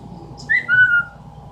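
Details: Indoor pet Amazon parrot copying sounds: a brief upward whistled chirp followed by a clear, steady, level whistle, then quiet room hum.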